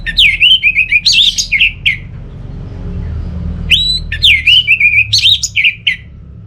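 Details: Orange-headed thrush in full song, played to lure birds at home that are not singing: rich, varied warbled phrases of rapid whistled notes delivered in two long bursts separated by a short pause.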